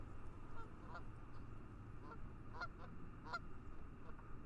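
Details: Geese heard through fog at a lake: a few faint, nasal honks spaced under a second apart over a heavy low rumble of background noise.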